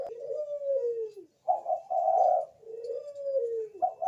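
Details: Bangkok zebra dove lure recording to trigger other doves' singing; soft gliding coos alternating with brief higher notes, somewhat muffled and low in level with light background hiss.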